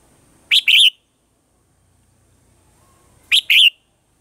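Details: {'caption': 'Red-whiskered bulbul mature wild-forest style morning song, meant for voice training of caged birds: two identical bright phrases about three seconds apart, each a quick chirp followed by a rich slurred whistle, with near silence between.'}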